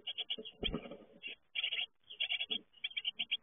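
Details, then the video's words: Great tit nestlings at fledging time, giving dense runs of quick, high, scratchy chirps almost without pause, broken by a dull knock or bump early on and a brief gap midway. "Uitvliegen koolmeesjes"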